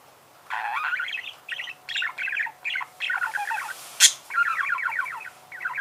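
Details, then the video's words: Budgerigar singing in steady bursts of fast, buzzy, rattling warble, each burst about half a second long. A single sharp click cuts in midway. "Пение волнистого попугая"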